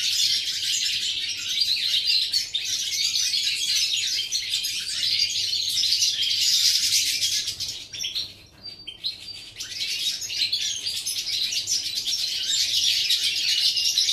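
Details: Goldfinch song from 11 September 2018: an unbroken, bright, jangling twitter of rapid high chirps, dipping briefly around the middle before resuming at full strength.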